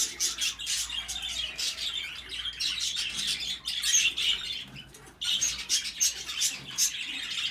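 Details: African grey parrots, pair mating: rapid, high, scratchy chirps and squeaks in dense, nearly continuous bursts, with a brief lull before resuming.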